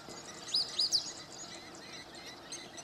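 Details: African pied wagtail on the bank of the Crocodile River at Malelane, Mpumalanga, South Africa, 27 July 2016: three quick, high, thin chirps packed into half a second, followed by quiet outdoor background.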